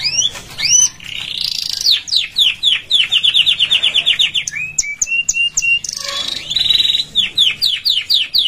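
A canary sings bright, high phrases: rapid runs of repeated down-slurred notes, a few clear steady whistles, then more fast trilled rolls, with nothing else audible.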